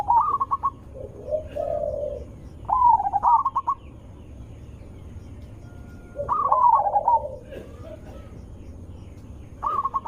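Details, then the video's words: Zebra dove with a loud, melodious voice used as a lure to draw other zebra doves into answering: three coo phrases, each opening with a low purring coo, then a stuttering run of clipped notes, with quiet gaps between. "Suara Besar Merdu ampuh untuk pancingan burung perkutut"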